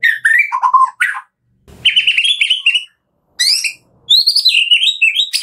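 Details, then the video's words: Kretekan song of a white-rumped shama, played to prompt other shamas to sing; loud varied phrases of descending whistles, warbled runs and a brief crackle, rising into high sweet notes at the end. "PANCINGAN JAHAT KRETEKAN MURAI BATU GACOR"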